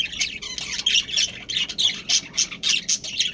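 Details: Budgerigars, a breeding pair of Australian parrots with their family, give harsh, high squawking chirps repeated about three to four times a second in an uneven, rapid series.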